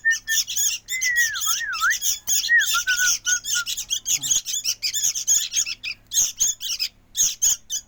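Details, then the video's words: Harsh, raspy squawks from a noisy sooty-headed bulbul chick, repeated rapidly in short bursts. A wavering whistle is heard only during the first half. "Ributnya ini Anakan burung Kutilang"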